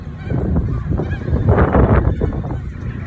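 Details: Emperor goose honking: a burst of harsh, nasal honks in the middle, with dense low rumbling and background murmur throughout.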